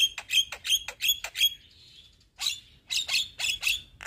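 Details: Young Javan myna singing to lure and train other mynas: quick sharp, high clicking chips in a steady series, a brief thin trill, then more bright percussive chips.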